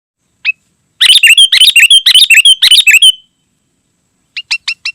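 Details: Sooty-headed bulbul singing constantly and densely, used to lure wild bulbuls and to tutor caged birds: one short note, then about two seconds of rapid bubbly chattering phrases, a pause, and four quick clipped notes at the end.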